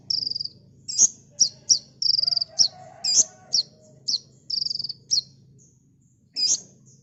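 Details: Olive-backed sunbird, kolibri ninja, delivering rapid 'tembakan' song for cage-bird training: buzzy high trills interleaved with many sharp, ringing chip notes, then a pause and one last chip, over a low hum.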